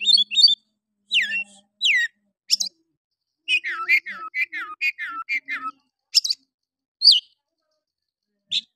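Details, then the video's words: Oriental magpie-robin singing harshly to rouse rival males: descending slurred whistles, then a fast series of falling notes repeated about twice a second, ending in scattered sharp calls. "Pancingan Kacer malas bunyi. bangkitkan emosi Kacer lain"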